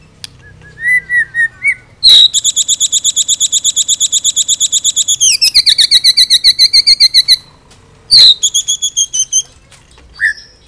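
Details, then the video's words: White-rumped shama with a full-repertoire song for training other birds: a few soft whistles, then a long, very fast, even rattle of about thirty-five sharp, metallic notes, a brief pause, and another shorter rattle. "murai full isian cocok buat MASTERAN"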